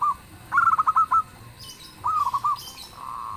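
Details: A local zebra dove (Geopelia striata) sings soft, mellow cooing phrases of quick stuttering notes, repeated twice before a longer rolling coo, prompting others to answer; faint higher chirps from other birds. Zebra dove.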